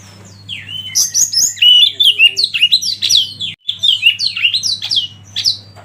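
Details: Oriental magpie-robin song used for training other birds: dense, varied whistles and warbles with many sharp downslurred notes, delivered almost without pause apart from one brief break, with a constant low hum behind.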